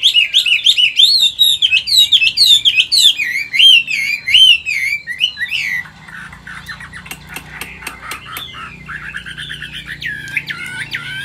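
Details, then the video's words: Loud, rolling whistled phrases pour from an old wild-caught Chinese hwamei caged in Vietnam, singing in 'forest voice' style. It then drops to softer, quick clipped notes before rising, wavy whistles return. "Chim già rừng, Cao cầu - Bộ to mẫu chim rất đẹp- Giọng rừng"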